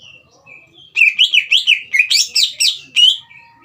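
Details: Green leafbird singing in a cage to stir a young bird into song: after soft preliminary whistles comes a rapid warbling run of rising and falling whistled notes, rich and varied, ending in a thin trailing note.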